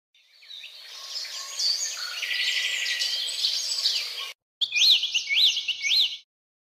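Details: A sparrow chick: dense, rapid high chirping and twittering for about four seconds, then after a brief silence three clear, arched notes that rise and fall, repeated about every half second.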